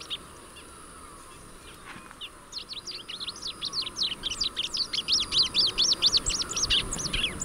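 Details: Rusty-collared seedeater starting after a quiet couple of seconds into a long, fast series of high rising-and-falling whistled sweeps that grows louder toward the end.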